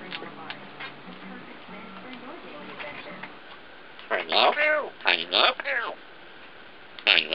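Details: A 1.5-year-old female African grey parrot talks, imitating words: faint murmurs early on, then loud, strongly harmonic word-like phrases bunched near the end, with one final short utterance.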